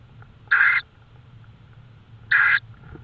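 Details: Tawny owl recorded at night in Estonia, 22:30 on 5 May 2013: two brief, harsh hissing screeches about two seconds apart, each roughly a third of a second long, over a quiet low background hum.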